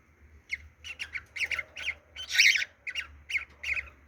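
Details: Cockatiel; mating call; courtship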